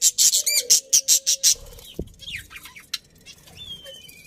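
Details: Happy budgerigar colony: a fast run of about eight loud, high, rasping pulses, then one sharp click and softer sliding chirps amid light rustling.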